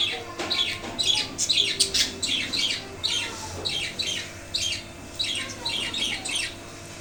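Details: Pet budgerigars kept in a wooden cage, after losing the male father bird, chattering steadily: dense run of scratchy, buzzy squawks and chirps, around two per second, continuing through the whole stretch.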